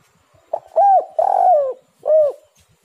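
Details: Tekukur, the spotted dove, giving lure song to prompt kept doves to sing: a short opening note, a clear coo, a longer buzzy, throbbing coo and a final short arched coo, all mellow and mid-pitched.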